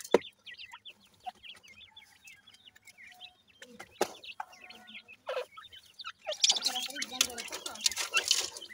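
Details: Feeding grey francolin chicks give a steady run of thin, high, wavering peeps and brief chirps, with a few sharp clicks. A loud broadband rustling or scraping noise masks the calls in the final seconds.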